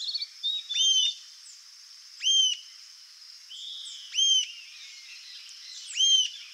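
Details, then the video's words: Rufous-tailed jacamar (Galbula ruficauda) giving four clear, high, up-and-down whistled notes roughly two seconds apart, with a steady high-pitched insect drone and soft twittering from other birds between the notes. "CANTO da ARIRAMBA-DE-CAUDA-RUIVA (GALBULA RUFICAUDA), RUFOUS-TAILED JACAMAR"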